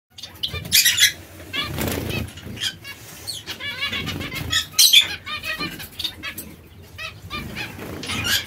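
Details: Zebra finches (Taeniopygia guttata) give nasal, buzzy chirps and short harmonic notes in quick irregular bursts, mixed with repeated fluttering wingbeats.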